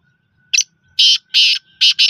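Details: Harsh call of a black francolin: a brief sharp first note followed by four loud, scratchy, rasping notes grouped in pairs. A faint steady tone hums in the background.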